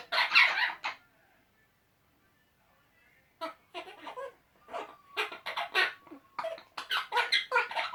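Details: Two Eclectus parrot males making silly noises at each other: a loud harsh squawk burst, a pause of about two seconds, then rapid broken chatter of clipped grating notes building again.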